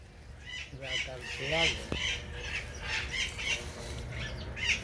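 A Military Macaw gives a series of harsh, raucous squawks about every half second, with a person's voice mixed in.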